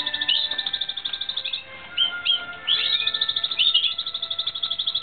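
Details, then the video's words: Timbrado Espanhol canary training song from 2016: fast, regular high trills of tinkling notes interrupted by a few short swooping whistles before the rapid roll resumes. "Timbrado Espanhol - 2016"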